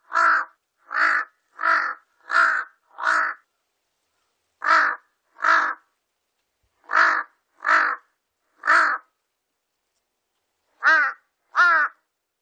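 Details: Series of short, harsh caws from a Large-billed crow, 2020 National Institute of Biological Resources recording: a burst of five, then pairs and triplets after brief pauses, closing with two more tonal, wavering calls.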